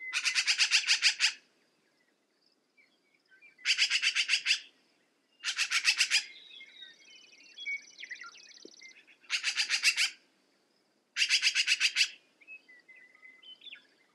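Black-billed magpie giving five harsh, rattling chatters, each a rapid run of raspy notes lasting about a second, with quieter chirps and a thin high buzz between.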